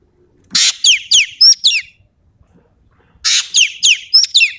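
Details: Sumatran ekek keling in energetic tembakan song. Two phrases, each a loud grating rasp leading into rapid sharp descending whistles and high ringing doubled notes, with a clean silent gap of over a second between them.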